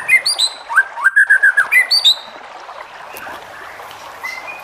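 White-rumped shama singing a rich, fast phrase of about ten clear whistled notes with high ringing overtones, dipping and rising, then a softer trailing note.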